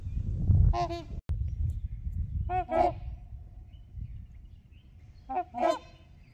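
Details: Trumpeter swans among geese on Horseshoe Lake, heard from the beach: repeated loud, nasal trumpeting honks in three groups of doubled notes, separated by quieter wind-filled pauses.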